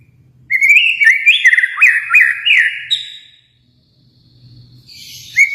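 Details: ['Kalimantan white-rumped shama delivering a loud three-second run of warbled, rising and falling whistles. After a pause, a softer buzzy note and a rising whistle close the phrase.']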